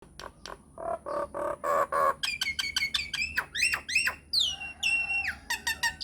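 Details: Myna lure recording, meant to make any kind of myna answer: a varied run of harsh grating bursts, then clear harmonic whistles and sliding squawks that fall in pitch, fast and irregular, with a faint steady high tone behind.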